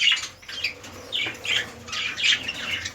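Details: Budgies from a red-eyed lutino breeding pairing, sounding short harsh squawks and downward chirps, about four distinct notes in quick succession.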